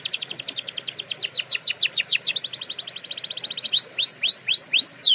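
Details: Canary singing for training: a rapid run of downward-slurred notes, speeding into a dense trill, then slower upward-sweeping whistled notes repeated about twice a second.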